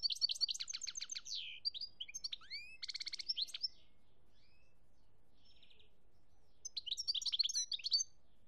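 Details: European goldfinch song from Algeria, 2017: bursts of rapid twittering and a buzzy trill, a few rising whistles, a silent gap, then more twittering.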